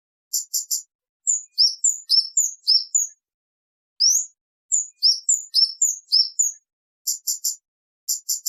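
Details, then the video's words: Kemade singing, a recording meant for luring and tutoring birds: quick phrases of high rising chirps alternating with rapid clipped ticking note groups, repeated in bursts. "Suara Burung kemade gacor jernih"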